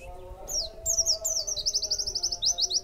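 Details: A white-eye in a cage, fed extra food, pours out a fast, continuous string of very high, descending twittering notes repeated in quick succession above a low steady hum.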